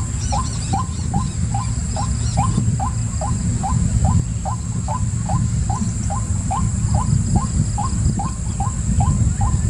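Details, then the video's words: Long, steady run of short rising notes from a white-breasted waterhen, evenly spaced about twice per second, with a few high chirps at the start and a droning low background. "White Breasted Waterhen"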